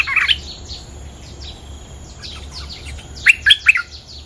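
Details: Bulbul, the local territory holder, singing at a lure: a brief chirpy phrase at the start, then after a pause three loud, sharp, rising notes in quick succession, with soft background bird twitters.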